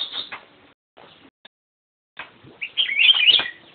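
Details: Black-crested bulbul song: a short warbled phrase at the start, a pause, then a loud rising run of bright, liquid whistled notes toward the end.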